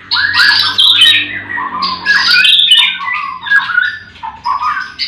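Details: Captive white-rumped shamas at a breeding farm in the morning, all birds singing together: varied whistled and harsh phrases overlap, with bright slurred notes and chattering bursts, over a faint low hum.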